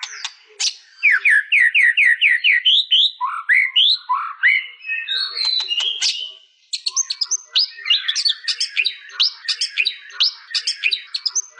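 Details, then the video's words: White-rumped shama, mastered recording, delivering a varied song that opens with a run of six rapid rising whistled notes, then slurred whistles and a dense stretch of sharp high chips. "Suara burung murai batu"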